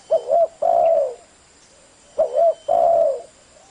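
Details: Two full coo phrases from a spotted dove sung in 'giọng thổ', fast kích bổi manner. A short, warbled double note precedes a long, smooth coo that sinks slightly at the end. A faint steady hiss lies beneath.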